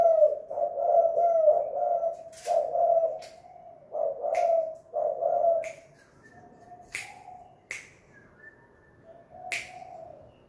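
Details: Spotted dove, a lure bird at home in two-note 'kuk gantung' style: repeated deep coos in the first half, then softer notes punctuated by sharp snapping clicks.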